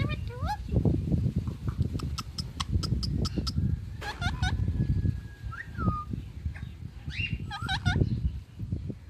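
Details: Pet ringneck parrot uttering bursts of sharp rising and falling squawked notes between quick clicking sounds, with constant low indoor rumble beneath.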